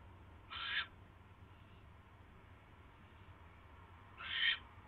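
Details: Owl caught a mouse on a live nest camera at night, January 28, 2016; two short raspy screeches separated by about three and a half seconds of quiet background hum.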